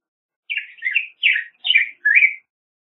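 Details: Five burry, warbling phrases from a Black-headed grosbeak, each a quick up-and-down slur, delivered in an even sequence over two seconds with no background noise.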